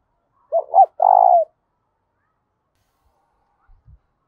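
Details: Loud, resonant challenge coo from a spotted dove: two rising hooked notes then a long buzzy, throbbing coo, followed by silence and faint low knocks.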